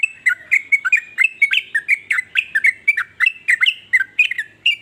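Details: Varied song of a sooty-headed bulbul, said to prompt other bulbuls to sing along: a steady string of short, slurred, bright notes, about three per second, continuing for nearly five seconds.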